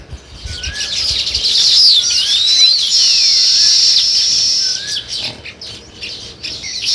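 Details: Sparrows producing a busy, sustained chatter of sharp high chirps that swells in the middle. A lower, slurred whistle from another bird repeats four times in the background.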